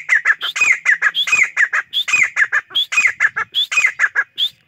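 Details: Grey francolin in full chorus: loud, rapid, harsh syllables in repeated rising-falling phrases, about five notes a second, with no break.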